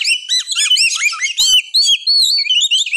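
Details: Oriental magpie-robin (kacer) in intense, persistent 'gacor ngotot' song, meant to provoke reluctant birds into singing; loud slurred whistles looping up and down in quick succession, some notes rising, others wavering, with faint clicks between phrases.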